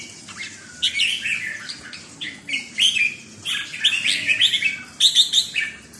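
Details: Red-whiskered bulbul performing the 'sai nap dok' note-counting song style, clusters of clear whistled notes in bursts about every second, fairly soft, with slight background hiss.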